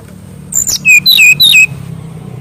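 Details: Mangrove whistler (kancilan bakau) for training young birds: one brisk phrase of a high sharp note and three loud downslurred whistles, ending abruptly over low background rumble.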